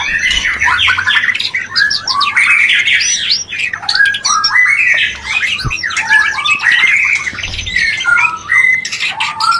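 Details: Mating sound of a White-rumped shama, used as therapy for breeding urge. Dense, loud song with jumbled chattering notes, slurred whistles and harsh squawky phrases throughout.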